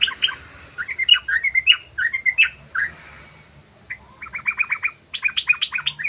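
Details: Sooty-headed bulbul song used as a lure: liquid whistled phrases rising and falling, a short lull, then a rapid stuttering 'ropel' run of clipped notes; a faint continuous whine and low hum in the background.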